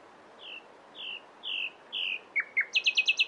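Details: Nightingale phrase of four slow, drawn-out whistled notes, each louder than the last, then two sharp downward flicks and a fast, loud, high rattling trill.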